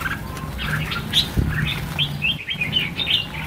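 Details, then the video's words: Short, bright chirps and rising whistled notes come from freed red-whiskered bulbuls, part of a release of 1000 birds, over a steady low hum. "Phóng sinh 1000 con chim chào mào - chào mào căng lửa"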